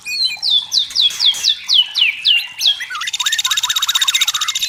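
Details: Wild-sounding white-rumped shama from forest habitat: about ten sharp descending whistled notes in steady sequence, followed by a harsh rapid buzzing rattle mixed with lower looping whistles.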